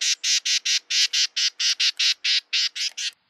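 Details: Carolina wren (Thryothorus ludovicianus), rasping call.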